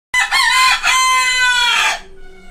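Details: Rooster crowing in the morning: one loud, harmonic-rich cock-a-doodle-doo lasting nearly two seconds, starting abruptly, with a brief dip partway through, then fading into quiet background.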